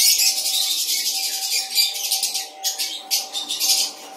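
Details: Pair-housed lovebirds in a breeding colony with cockatiels and budgerigars in Tripura give dense, shrill high chattering in rapid bursts, over a steady low electrical hum.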